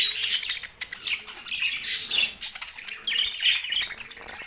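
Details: Budgerigars, a group of parakeets kept together, chirping in dense overlapping bursts of high warbled and squawky notes, several calls per second with short pauses between flurries.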